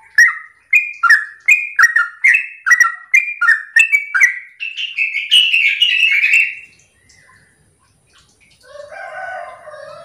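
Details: Sooty-headed bulbul in full morning 'ropel' song, played to prompt other bulbuls to answer; a rapid run of rich, bubbly whistled phrases, about two per second, quickening and rising before fading into softer chatter.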